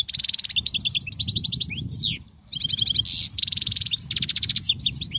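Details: European goldfinch singing continuously, used for tutoring goldfinch chicks: dense high twittering of fast trills, buzzy rattles and slurred whistles, with one short pause, over a soft low rumble.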